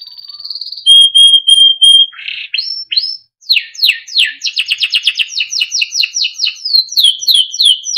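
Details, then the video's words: Timbrado canary, a small yellow bird, singing for training: a level whistle and pure piercing tones, then upswept chirps leading into a fast rolling trill and rhythmic downslurred notes. "Small yellow bird sound - Timbrado canary singing beautiful melodic songs for training"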